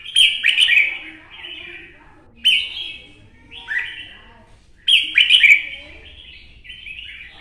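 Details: Mature forest-caught red-whiskered bulbul from Quảng Nam, Vietnam, delivers three bright bursts of rapid slurred warbles, each followed by softer trailing notes, spaced roughly two seconds apart.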